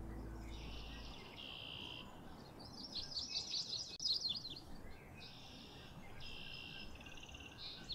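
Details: A Cape May warbler at Mud Lake, Ottawa, in 2023 gives high, thin buzzy phrases, each under a second, with quick bursts of jumbled chips between them over steady background hiss.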